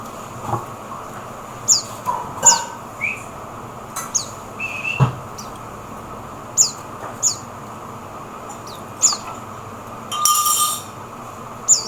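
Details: Oriental white-eye recorded in the Philippines: scattered high, thin downslurred chirps repeating every second or so, with a couple of lower whistled notes and a brief burst of noise near the end.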